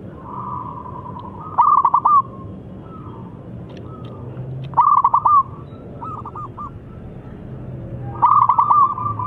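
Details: Local Zebra dove calling loudly to prompt other doves to answer: three loud phrases roughly every three seconds, each a quick stutter of clipped notes flowing into a steady, mid-pitched, purring coo, with a softer trilling coo between them over low background hum.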